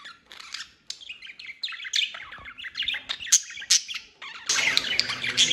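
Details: Budgerigar pair in breeding condition, mating sounds: a rapid, scratchy warble of high chirps and squeaks, rising into a denser, harsher burst near the end.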